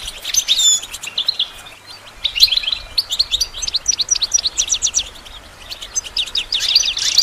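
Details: Goldfinch singing for songbird training: an opening whistled slur, then runs of quick clicky chirps and twitters, ending in a dense bright burst.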